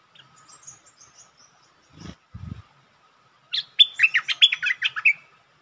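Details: Bulbul challenging the resident territory owner: faint thin high notes, two dull low thumps, then a loud run of rapid, chattering warbled notes rising and falling for over a second.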